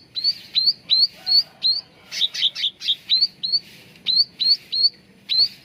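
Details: Training-lure song of a cucak ranting bulbul: steady series of clear, sharply rising whistled notes repeated roughly three times a second, broken midway by a burst of rapid buzzy chirps.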